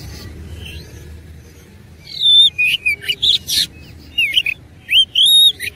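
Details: Combative oriental magpie-robin pouring out an insistent, varied song: bright, high whistles and twisting slurred notes in quick bursts with short pauses, over a constant low hiss.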